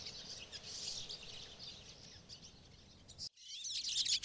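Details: Flock of pine siskins in Maine's boreal forest chattering in high, thin twitters, with a brief cut midway followed by louder, closer buzzy and rising notes among busy chips.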